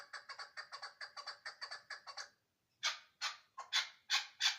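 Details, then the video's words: Chukar partridge from Ishkoshim giving a quick run of short harsh chuck notes for about two seconds, then a brief pause and five louder, broader rasping calls spaced roughly half a second apart. "Кабки Ишкошим"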